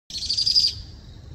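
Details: Powerful Owl (Ninox strenua) chick at night gives a single high, wheezy, hissing begging call that trails off quickly, calling to its parents to be fed.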